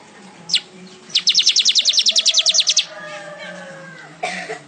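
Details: Lively weaver (manyar) song: one isolated sharp note, then a brisk rattle of about sixteen evenly spaced high down-slurred chips, followed by quieter background sounds and a brief harsher note.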